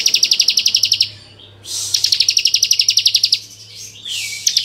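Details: Bar-winged prinia, called ciblek kristal, delivering full varied ngebren song to rouse other prinias: long, sharp high trills of quick pulsed notes lasting one to two seconds, broken by short gaps and a slurred whistle, low hum behind.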